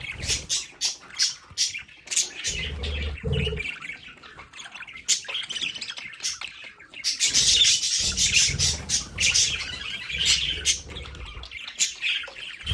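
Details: Budgerigars kept at home in their play area, chirping and warbling steadily in rapid overlapping bursts, the chatter swelling midway, with occasional low knocks.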